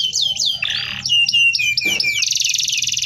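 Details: A short burst of canary rolling song for tutoring: swooping whistles, a brief harsh buzz, then repeated falling notes leading into a bright, very fast trill.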